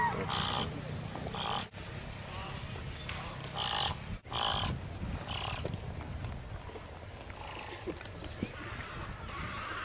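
Marabou stork giving hoarse, breathy grunts in roughly one-second bursts, several in quick succession, with a person's voice talking in the background.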